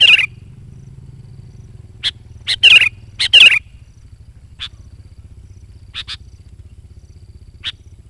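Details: Sooty-headed bulbul singing to lure wild bulbuls and train decoys: three bubbly whistled phrases in quick succession early on, then scattered short high notes, over a low rumbling hum.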